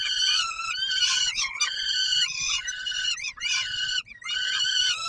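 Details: Peregrine falcon at feeding time, Palace of Culture and Science, Warsaw, Poland, 17 July 2022: continuous grating wails that waver and bend in pitch, with a couple of brief breaks.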